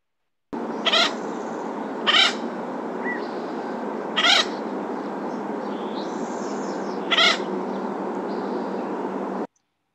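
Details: Acorn Woodpecker at Knickerbocker Meadow, Big Bear Lake, California, on July 8th 2020, among oaks, giving four short, harsh, raspy call notes, its short chatter, spaced one to three seconds apart, over a steady background hiss.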